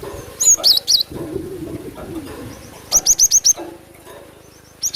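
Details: Javan sparrow lure sounds for attracting birds: a few sharp twisting high notes, a pause with low rustling, then a rapid run of five clipped chirps and faint softer chirps before a final burst.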